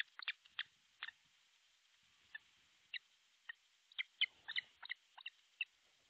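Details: Osprey at a Finnish nest in Pohjois Satakunta, 6 July 2023 at midday: scattered sharp whistled chirps, a few early, then a cluster of quicker, louder notes after a pause.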